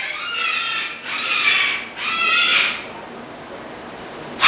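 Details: Cockatoos displaying: one gives three harsh, raspy screeches, each about a second long, with little pause between them.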